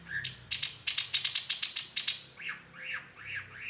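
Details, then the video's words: Long-tailed shrike giving a fast run of about a dozen clipped, high ticking notes, then several lower arched whistles that rise and fall, against a faint low hum. "cendet gacor PANCINGAN LANGSUNG NYAUT || Long-tailed Shrike"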